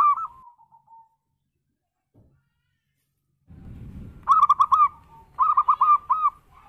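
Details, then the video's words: Local zebra dove giving a swinging berayun-style song, used as a lure for other doves: a fading cooing tail, a pause and low rumble, then bursts of quick, mellow, trilled coo notes in short groups. "Suara Perkutut Lokal BERAYUN cocok buat pancingan jadi RAME!!"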